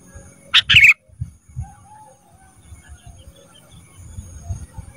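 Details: A single loud, harsh double burst from a caged ruby-throated bulbul, used as training sound for cage birds. Quiet murmuring and low rumble follow.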